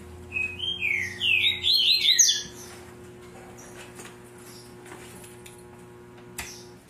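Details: A breeder's double-collared seedeater in tui-tui zel-zel style, recorded 5 December at 8 a.m.: a two-second phrase of quick buzzy notes rising into sharp high slurs, then quiet room noise with a faint click.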